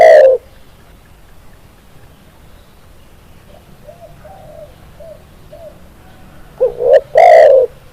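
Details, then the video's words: Spotted dove, a tekukur used as a master track for captive birds, giving a single low coo, then soft faint distant coos, and finally a loud two-part coo followed by a long hooting note. "SUARA BURUNG TEKUKUR, MASTERAN CEPAT GACOR"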